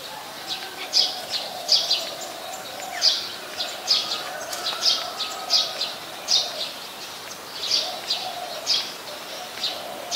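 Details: Brown-throated sunbird in Ubon Ratchathani, Thailand, recorded 13 January 2021: a steady series of short, sharp high chips, roughly one each second, with soft distant bird notes and a low background hum.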